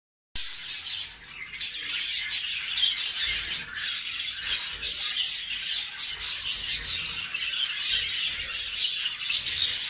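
Budgerigars chatter in a steady, high-pitched stream of rapid chirps, squeaks and warbles with no pauses, like a busy flock calling together.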